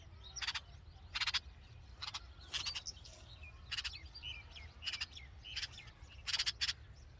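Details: Red-vented bulbul nestlings in the nest with their mother, described as hungry baby birds: short bright chirps come in quick clustered bursts about every half second to second, over a steady low background rumble.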